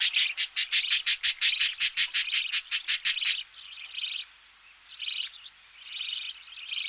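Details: Nestling budgerigars calling as they are fed, with knocking in the background: a fast run of about twenty sharp, evenly spaced pulses, then slower drawn-out raspy begging buzzes.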